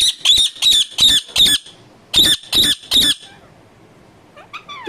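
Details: Pet Indian ringneck parakeet, a talking parrot, giving eight loud harsh squawks in two quick bursts of four, then falling quiet apart from a faint rising note at the end.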